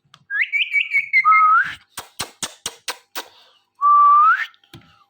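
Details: Ringneck parrot at home watching a phone: a trilled warbling whistle sliding into a low rising note, a burst of sharp clicks, then another long rising whistle.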